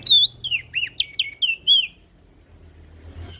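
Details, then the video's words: Ashy prinia calling as a lure for small birds: seven quick, bright whistled notes with sharp pitch bends, then a quiet stretch with low hum. "Suara Burung Prenjak Daun Gacor Ngepoling PAs Buat Pancingan Burung Kecil"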